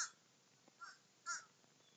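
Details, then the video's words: A group of crows feasting; clipped harsh caws, a softer one followed by a louder rasping caw, with faint background hiss. "Muder Of Crows Feasting"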